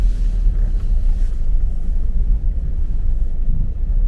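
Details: Deep, steady rumbling of wind or a passing vehicle fills the whole stretch, with no animal voices heard.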